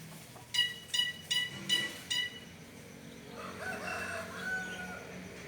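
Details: An unfamiliar, strange bird calling: five short, nasal notes with bright overtones, spaced roughly every 0.4 seconds, followed by a stretch of softer rustling background noise with a faint higher note.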